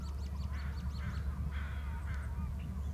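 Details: An eagle calls on landing after flying in from the strait: a quick series of about six high, descending chirping notes with harmonics, then a few more spaced notes, over a steady low rumble of wind or background noise.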